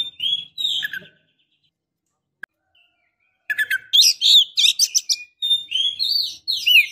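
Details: Breeding-condition female Oriental magpie-robin calling a male: a few whistled notes, a silent pause with one click, then a rapid, dense run of sweet upslurred whistles and harsh notes.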